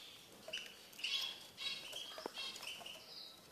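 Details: A tamed, caged Eurasian siskin gives high, thin twittering chirps in bursts about every half second to second, with a faint scratchy rustle underneath.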